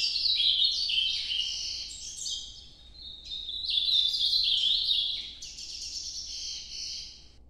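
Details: Ultramarine grosbeak performing a Nordeste-type night song: long, loud, flowing warbled phrases of slurred high notes, dipping briefly mid-way before resuming and fading at the end.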